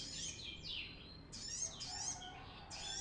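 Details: Brown-throated sunbird song, used as a lure to train untrained birds: a varied sequence of high, slurred, swooping notes, some rising and some falling, delivered in a slower, more deliberate phrase.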